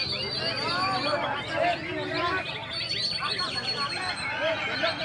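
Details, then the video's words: A caged greater green leafbird, described as over-excited, gives an agitated burst of rising and falling whistles and sharp chattering notes, over a murmur of human voices. "CUCAK IJO INI JADINYA NAIK TURUN AKIBAT EMOSI BERLEBIHAN JADI OVER EMOSI"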